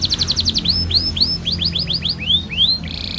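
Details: Canary singing a long rolling song meant to set other canaries singing: a fast run of repeated high notes, then a series of bright upswept whistles, ending in a buzzy trill.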